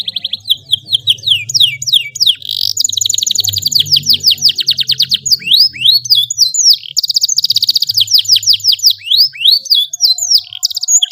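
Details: Canary giving a long, sweet song used as a model for young birds, a continuous stream of fast whistled trills, buzzy rolls and rising and falling slurred notes over a faint low hum.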